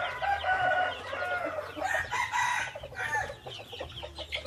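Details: Red junglefowl hybrid rooster crowing against steady low hum and background clatter: a hoarse, harmonic call rising and falling through several drawn-out sections over about four seconds.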